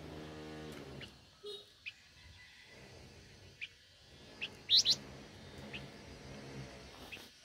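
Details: Blue-winged minla, described as super tame, calling with sparse thin chirps that build to a bright, loud pair of high notes, with a low murmuring hum underneath.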